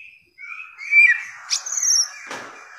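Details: Bare-throated whistler, a Nusa Tenggara endemic also called samyong or garugiwa, in a long-duration masteran song recording: a short passage of level and slurred whistles with a sharp click and a brief buzzy burst near the end.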